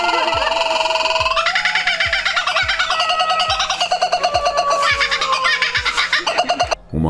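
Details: Laughing Kookaburra in forest gives its territorial laugh, loud rollicking cackling notes that rise then tumble down, over a steady thumping music beat.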